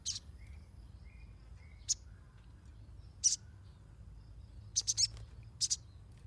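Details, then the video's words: Sunbird used as a lure to train young birds: short, very high, sharp chirping bursts, some single and some doubled or tripled in quick clusters, spaced irregularly over a faint low background hum. "SOGON NYERECET !! Pancingan untuk burung bahan"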